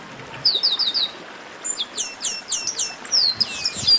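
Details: Chestnut-capped blackbird 'baderna', a chorus for warming up singing birds; a fast triplet of high chirps, then repeated falling whistled slurs about twice a second from several overlapping birds.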